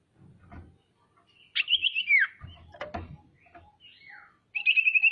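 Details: Female common iora calling to provoke other ioras: a buzzy trill sliding downward, scattered knocks and clicks, a faint falling whistle, and then a steady high trill starting near the end.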